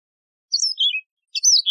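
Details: Yellow-fronted canary, a wild canary type also called Mozambique serin, singing clean high phrases: quick whistled notes slurring downward, a short pause, then a brighter rising-and-falling trill ending on a sustained whistle; no background noise.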